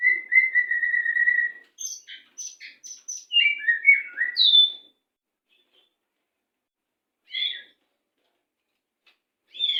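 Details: White-rumped shama 'macet sepid rapat' master song for training captive birds: a long steady whistled trill, then quick high chips and tumbling slurred whistles, followed by a few isolated short high calls after a pause.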